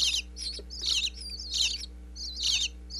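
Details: Nestling bluebirds chirping inside a birdhouse in Pennsylvania during a parental feeding visit, picked up by an in-box wireless microphone: irregular high squeaky bursts with a few thin whistled slurs between them, low hum underneath.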